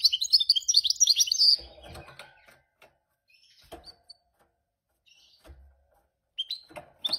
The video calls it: Mule Gold Finch Singing